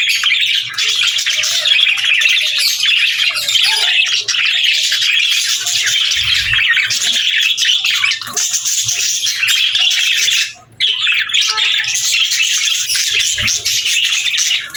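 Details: Several budgies chatter without pause, mixing high twitters, warbles and harsher squawks into a steady flock chorus, broken by one brief gap around eleven seconds; faint soft bumps beneath.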